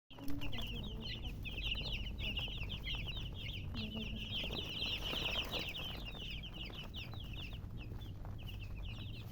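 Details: Domestic chicken chicks, a group of baby birds, giving a dense continuous chorus of high, short, slurred peeps that overlap rapidly throughout, over a steady low background hum.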